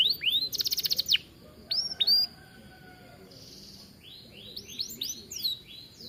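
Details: Gacor canary song from an aviary, used as a master recording for training: a rapid rattling trill, a few whistled upslurs, a pause with a soft buzz, then a run of quick descending chirps.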